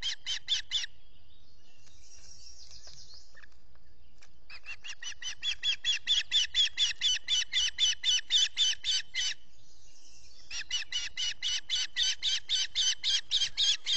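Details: Osprey on a Finger Lakes, US nest while feeding chicks, early 14 June 2021, recorded by a solar camera; long runs of rapid, sharp whistled chirps, several per second, broken by short pauses with faint distant calling.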